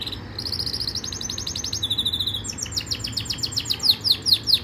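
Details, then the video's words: Yorkshire canary giving its training song: quick high rolling trills shifting pitch, followed by a series of loud down-slurred chirps repeated about twice a second, faint low hum behind. "Rasmi Yorkshire canary song | best Canary training song"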